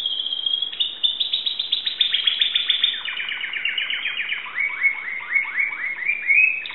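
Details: Greek-kept Timbrado canary singing in 2009, a continuous stream of rapid downward-slurred notes, shifting into lower, slower descending chirps and tight rolled phrases without pause.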